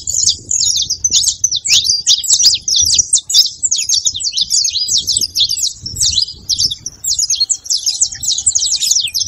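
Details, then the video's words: Saffron finch song used to warm up a silent canary: dense stream of quick, high, slurred chirps repeated without pause, with low background noise and a brief faint hum near the end. "canto de canário da terra junto pra foguea e esquentar seu canário frio"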